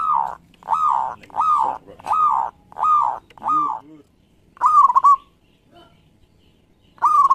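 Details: Zebra dove of local stock, a lively singer used as a lure: five arched, smooth coos in a steady series, then two quicker rippling phrases with stuttered beats.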